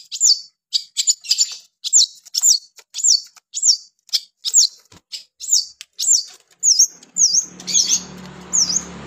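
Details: Long-tailed shrike in lively, full song: sharp high chevron-shaped notes repeated rapidly about twice a second, later turning into upslurred whistles over faint background hum.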